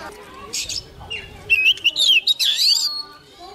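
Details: Young Oriental magpie-robin singing hard when a wild bird draws near. A few soft chirps lead into a loud run of clear, sliding whistles that rise and fall for about a second and a half, with murmuring voices behind.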